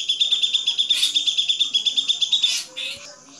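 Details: Grey-cheeked bulbul song for songbird training: a rapid high trill of regular pulses, punctuated by two louder raspy notes, ending with a brief rising whistle.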